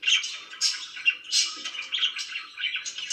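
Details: Pet budgerigar in rapid, uneven chatter: harsh squawky chirps and rasping warbles tumbling one after another with tiny breaks.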